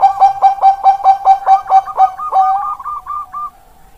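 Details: Zebra dove, Bangkok type, from Indonesian stock: about ten quick, mellow coos in even rhythm, then a long softer rolling purr that fades out.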